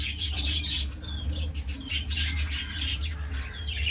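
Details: Dense overlapping chatter from breeding budgerigars: scratchy warbles, squeaky notes and short squawks running without a break, backed by a low steady hum.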